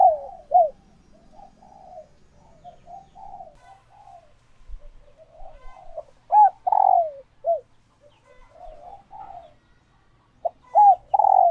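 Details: Female spotted doves in laying condition, kept birds, calling to stimulate males to coo back and pair; soft rolling coos with sharp rising-falling notes, phrases repeated irregularly, quiet gaps between.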